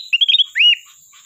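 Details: Golden sooty-headed bulbul singing persistently with learned fill-in phrases, skilled at calling a rival: a quick run of bright chirped notes followed by one longer slurred, rising-then-falling whistle, clean background.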